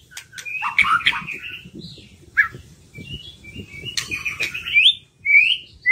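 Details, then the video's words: White-rumped shama song played as a lure to stimulate reluctant birds to sing: varied whistled and warbled phrases with sharp clicks, sliding notes and a rising final whistle, over a low murmur of background noise. "PANCINGAN MURAI BATU MERANGSANG BURUNG YANG SUSAH BUNYI LANGSUNG IKUT BONGKAR ISIAN"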